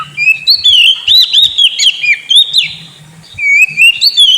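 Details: A sulking caged white-rumped shama delivers looping whistled phrases, curling up and down in quick arcs, then a pause and renewed bright rising whistles, with soft low tapping beneath.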